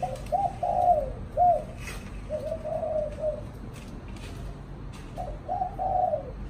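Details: Pet spotted dove in a cage in Vietnam, chạm đồng style, delivering low, throaty multi-note coos in three bursts, the first a quick stuttered run, with faint clicks and a low rumble beneath.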